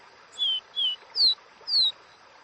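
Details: A caboclinho seedeater sings its wild "Dó Ré Mi" song: four clear whistled notes, about two per second, two level notes then two slightly higher notes sliding downward, over a faint hiss.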